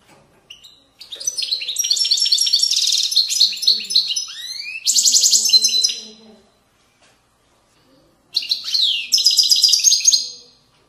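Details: European goldfinch singing the authentic widani song style, from Moroccan valley banks, 2020: bright, high, rapid twittering and tinkling trills in two long bursts separated by a short silence, with a sweeping slurred note between phrases.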